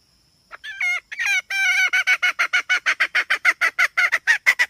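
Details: Hen beginning with halting, wavering nasal notes, then settling into a fast run of harsh clucks about three per second; a faint high steady tone is heard at the start.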